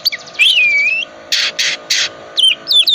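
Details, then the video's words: Oriental magpie-robin, calm type, in full 'isian' song used to coax silent birds into singing: a long wavering whistle, then separated buzzy rasping bursts and short sharp whistled notes, with a soft steady hum underneath. "Kacer tipe dingin gacor full isian pancingan kacer susah on di jamin bunyi gacor lagi"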